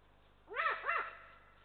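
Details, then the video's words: Warning call from an adult Eurasian eagle-owl on an Estonian nest camera as a lynx passes: a pair of strong, hoarse, arching notes about a third of a second apart, rich in overtones, with low background hum. "Warning calls from adult Eagle Owl! A Lynx walks by"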